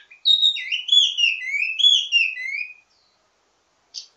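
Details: Wambi mini ledekan song with many variations, used to train other birds of its kind: a quick, tumbling series of sliding whistled notes lasting about two and a half seconds, then silence and one brief buzzy note.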